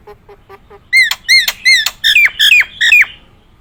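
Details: Nias hill myna, a caged songbird: four soft low whistles, then six loud, clear, ringing whistled notes, each rising and then dropping, delivered about every third of a second in a rising series.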